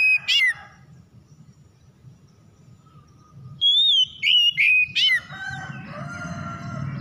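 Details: Oriental magpie-robin song used as a lure to get silent magpie-robins singing. A short burst of bright whistled notes, a pause with faint low hum, then three loud clear whistles that slur downward, followed by softer twittering.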